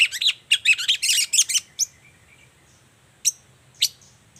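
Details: Long-tailed shrike, morning song used to provoke other shrikes into answering. A tight burst of loud, grating chirps opens, followed by near silence with a few isolated sharp, high notes.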